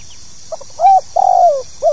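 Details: Spotted dove (tekukur) calling in 'pokal tanggung' style, played to prompt new birds to sing: faint short notes lead into a strong coo, then a long trembling coo falling in pitch, and another coo starting at the end; light hiss behind.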